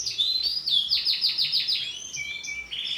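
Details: Bright green female canary singing a short, fast trill of repeated notes, then holding a steady, flat whistled tone before more high chirps.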